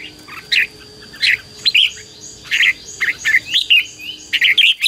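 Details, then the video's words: Red-whiskered bulbul song for luring wild birds and exciting a decoy bird: scattered bright whistled phrases, some slurred upward, grouped into quicker runs near the end, with a steady background tone. "CHÀO MÀO HÓT GỌI BỔI CHÉ CĂNG ĐÉT QUÁ HAY - KÍCH CHIM NHANH CĂNG LỬA"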